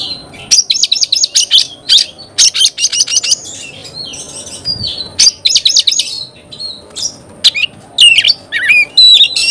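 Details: Oriental magpie-robin in energetic song: bursts of rapid repeated notes alternating with whistled slurs and rising upsweeps, loud and varied throughout.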